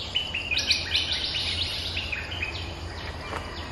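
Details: A territorial Streak-eared bulbul answers lure calls with a rapid, uneven run of bright chirps and short slurred notes, about two or more per second, over low rumbling noise.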